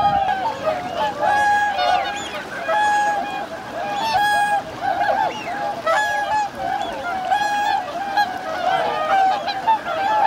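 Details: On Lake Hyoko, Niigata, Japan, a wintering flock of 2628 swans on 8 January 2022 calls in waves: ringing honks repeated roughly every second or two over a softer background of distant calling birds.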